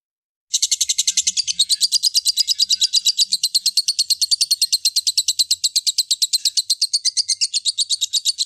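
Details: Young lovebird in a long tutoring recording used to prompt other lovebirds to sing: a continuous high rattling chatter of rapid, evenly pulsed notes, about seven per second, running unbroken for eight seconds after a brief silence, with no other sounds.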